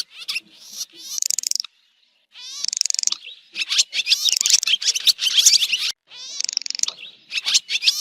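Swiftlets give bursts of high, buzzy twittering and rapid chirps, coming in dense runs of a second or two with brief silent gaps.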